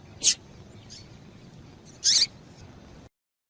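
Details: Female rusty-collared seedeater call used to excite the male: two short, piercing high chirps roughly two seconds apart, then silence, against a faint steady hiss.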